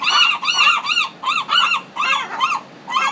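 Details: Loud, harsh, rounded cries from gulls in a Pacific city, about eight calls in three seconds, each rising then falling in pitch.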